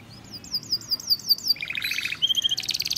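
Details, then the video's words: Male canary in energetic song, a run of wavering high zigzag notes, then buzzy rolls and a fast rattling trill at the end. "kicau kenari jantan gacor"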